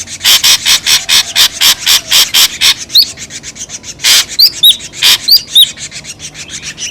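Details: Noisy ashy drongo lure call. Fast scratchy rasps come about four per second, then sharp high whistled upslurs mixed with a few louder harsh notes.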